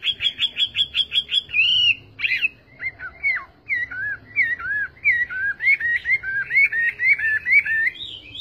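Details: Chinese hwamei song opening with about ten rapid identical whistles, then breaking into a medley of dipping, slurred notes that rise gradually in pitch.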